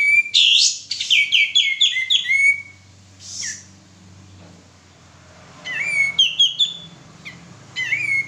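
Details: Singing male sooty-headed bulbul on a lure track: dense stuttering bursts of rising and stepped whistled notes, a brief hoarse call, a long quiet gap, then more whistled phrases.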